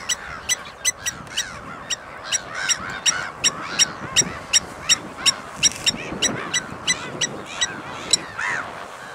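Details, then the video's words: Blacksmith lapwing producing a long run of sharp, metallic tink calls, fairly regular at close to three per second, accompanied by arched, mid-pitched calls from other birds. "Blacksmith Lapwing"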